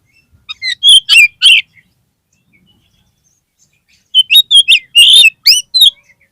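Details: Kacer (oriental magpie-robin) lure song for encouraging a dispirited caged bird: two bursts of fast, loud whistled and chirping notes, the second longer and more varied, with near silence between them.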